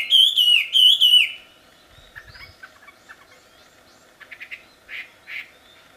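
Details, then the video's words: Wild wambi singing: two loud wavering whistled phrases over the first second, then quieter scattered chirps and short notes. "Suara merdu burung wambi di alam liar ternyata sangat merdu dan keras"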